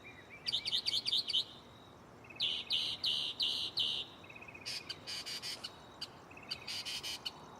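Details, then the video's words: Mockingbird singing at night from a tree right beside the recorder, cycling through varied phrases: scratchy stuttered bursts repeated three or four times, each preceded by short rapid trills. "Shuffling bird chirping live on location"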